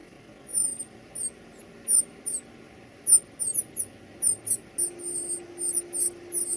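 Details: Baby birds being fed, giving very high, thin squeaky chirps in quick irregular bursts, about three or four each second, over a steady low electrical hum.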